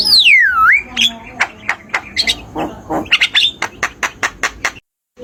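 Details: Javan myna (jalak kebo) in a tutor recording for mute cage birds: opens with a loud swooping whistle, then scratchy notes and a run of short evenly spaced clicks, about four per second.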